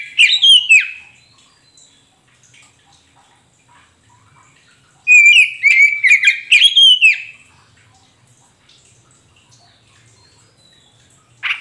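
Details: Kacer poci (Oriental magpie-robin) song used to coax a caged bird that has stopped singing into replying. A brief whistled burst is followed by a long quiet pause, then a rich, rapid phrase of clear whistles and scratchy chips.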